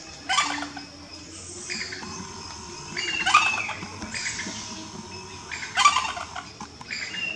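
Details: Sri Lankan junglefowl (Gallus lafayetii) rooster at Kitulgala, Sri Lanka, giving harsh, staccato bursts roughly every two and a half seconds, loud and broad-toned, over a steady low hum.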